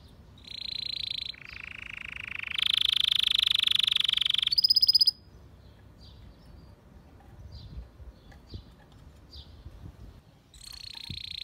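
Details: White canary singing for training, with long sustained rolling trills that step between pitches for about four seconds, then a quiet pause with soft short notes and a return of the trill at the end.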